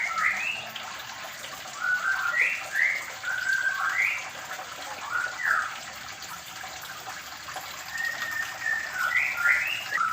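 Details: Medan-type white-rumped shama in a small aviary while being paired, singing scattered whistled phrases of rising and falling slurs with short pauses, set against a constant water-like hiss.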